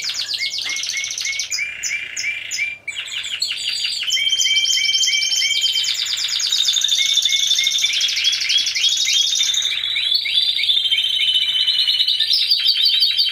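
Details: Contest song from Timbrado Español canaries judged in teams of four, 25 November 2015: lower repeated rolled notes with a brief break, then a long dense wash of high trills, steady tones and rapid rattles.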